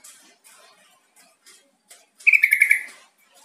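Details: Call recording meant to prompt quiet captive yellow-vented bulbuls to answer and sing: a few faint, scattered chirps, then a quick, bubbly burst of five or six bright chattering notes.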